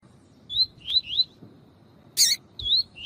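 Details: Double-collared seedeater tutor male singing in the tui tui style, with a female calling to excite males for breeders' training. Short rising whistled slurs come in a run of three, a sharp harsh burst follows, then two more slurs.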